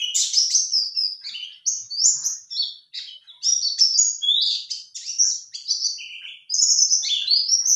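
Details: A white-eye sings a lure song meant to make males answer: a rapid, high, twittering warble of bright chirps and short trills, tumbling over nearly eight seconds with brief pauses.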